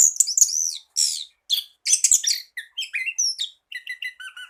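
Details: Orange-headed thrush song played as a tutoring recording for a bird reluctant to sing: rapid, varied high whistles and chirps, with sweeping phrases and then a run of quick descending notes, and no other sounds.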